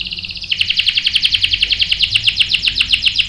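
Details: Canary bait song meant to make a male respond and sing: a short, high buzzy trill that switches into a fast, steady rolling series of sharp notes, about four per second.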